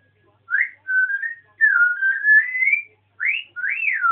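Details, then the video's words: Pet African grey parrot on a rant, giving a series of clear whistled notes, some rising, some swooping up and down, in short phrases with brief gaps, in a quiet room. "african grey jo-jo talking"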